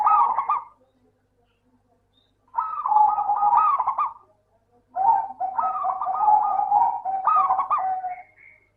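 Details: Local zebra dove recording used as a lure to prompt lazy doves to sing: three bursts of rapid, trilled, staccato cooing, each about two seconds, separated by short silences, with a clean, quiet background.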